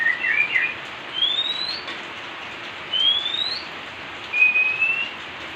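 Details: Oriental magpie-robins, a pair bathing in rainfall: a brief chattering warble followed by three drawn-out rising whistles spaced over a second apart, with rain hissing throughout.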